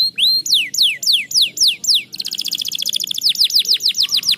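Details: Canary song meant to stimulate lazy canaries to sing: loud rapid series of downward-sweeping whistled notes, then a fast buzzy trill of short repeated notes, followed by more falling sweeps, with a faint low hum beneath.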